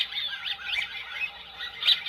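American wigeon giving high, squeaky whistles, a few quick wheezy notes rising and falling over two seconds, with a brighter squeal near the end.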